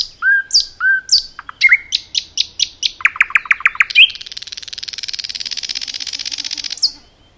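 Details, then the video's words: Forest-singing common nightingale delivering paired whistles, a quickening series of repeated sharp notes, then a long, rapid, churring trill lasting about three seconds before a final upward flick. "Nightingale song"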